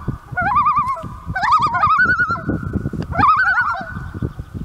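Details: Common loons calling for their chick at Lake of the Woods give three bursts of quavering, rapidly wavering calls over a steady low rumble of wind or water.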